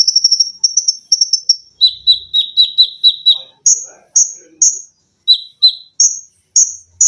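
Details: Olive-backed sunbird (konin) on a cage-bird tutor recording with tembakan rapat, mesin jahit, lengkingan and besetan: quick stuttering bursts, then a steady run of piercing chirps switching between two pitches.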